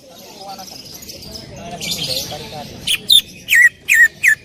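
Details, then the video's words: Greater green leafbird in loud 'tembakan' song, opening with soft murmuring chatter. It breaks into five sharp, downward-slurred notes fired in quick succession. "cucak ijo gacor full tembakan suara keras"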